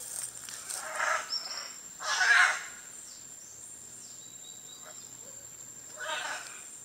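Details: Scarlet Macaw in Costa Rica giving three separate harsh, raspy squawks, each about half a second long and spaced irregularly, with the loudest in the middle. A constant high insect whine fills the background.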